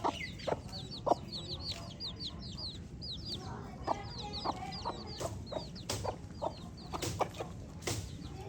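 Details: Baby chicks give rapid, bright, downward-slurred peeps, many in quick succession early on, then sparser later, with sharp knocking clicks between them and a low background hum.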